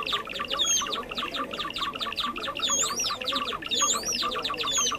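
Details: Java sparrow calls used as a trapping lure: nonstop chattering chips, with a few high swooping whistles that grow more frequent toward the end.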